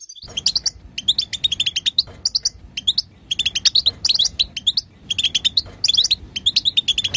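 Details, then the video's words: Female European goldfinch chatter, played to stimulate a male goldfinch to sing: rapid bursts of high, tinkling twitters and buzzy chirps, clustered in runs of several notes with brief gaps, continuing throughout. "بتبتة حسون وطنطنة تجعل الحسون يغرد"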